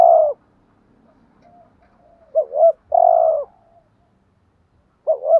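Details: Spotted dove kept as a decoy to attract other doves, repeating low coos: a long burring note, a pause, then a two-part rising coo and another long purring coo, ending on a fresh double coo.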